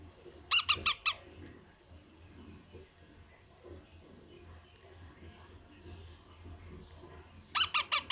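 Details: A baby parrot at feeding time gives rapid bursts of four harsh, rasping squawks, once near the start and again at the end, with a low indoor hum and soft background sounds between.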